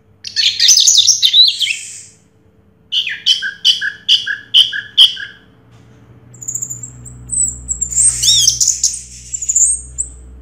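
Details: Winning Orange-headed thrush of 2022 gives a rich warble, then six or seven rhythmic, evenly spaced chirped notes, and after a pause a high squeaky flourish over a low background hum.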